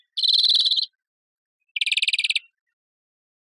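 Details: European greenfinch song: two dry buzzy trills near the upper range, the first about 0.7 seconds long, the second a slightly lower rapid trill, separated by silence.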